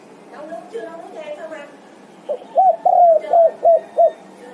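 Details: A person speaks briefly, then a spotted dove calling its companions gives a full phrase of six low, hollow coos. The notes are clear and closely spaced, with one long note in the middle.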